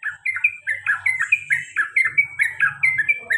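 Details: Pet male sooty-headed bulbul delivering its repeated long ropel and garuda song. Fast, bubbly, slurred notes roll without a break, each one dipping and rising, with a faint low rumble underneath.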